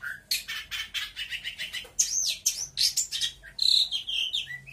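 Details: A local Lampung long-tailed shrike sings a rapid, varied song of scratchy chatters, then clear rising and falling whistles, with imitated phrases of other birds strung together with barely a pause.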